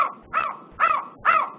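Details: An agitated Northern Spotted Owl, likely female, upset by something such as a barred owl or an intruder, gives harsh, nasal, rising-then-falling barking notes about every half second in a short series.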